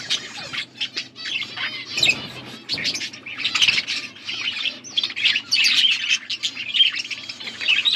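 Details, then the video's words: Blue budgerigars feeding each other, recorded August 13, 2024: dense scratchy chirps and warbling chatter, bursts of raspy notes with brief gaps, plus soft wing flutters and low background hum. "Beautiful blue budgies 💙 feeding to each other birds chirping sounds"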